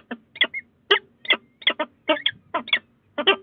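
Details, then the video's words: Peregrine falcons at the Sussex Heights nestbox, Brighton, on 22 February 2018, in a late exchange: harsh, raspy paired notes, about two bursts every half second, clipped chattering with no other sounds. "Peregrine Falcon Late Conversation"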